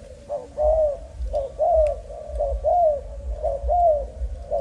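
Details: Young spotted dove, Malaysian type, line 55: soft short coos alternating with louder arched coo notes roughly once a second, low rumble beneath.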